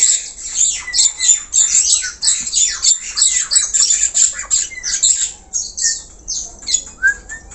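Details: Black-collared starling in full song: a dense, almost continuous torrent of harsh grating squawks and rasping notes, with a few brief whistled slurs slipping between them.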